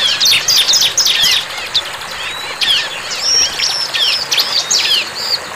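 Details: Bar-winged prinia singing in the wild: quick clusters of high, piercing chirps and short sliding notes in irregular bursts, with a faint hiss behind.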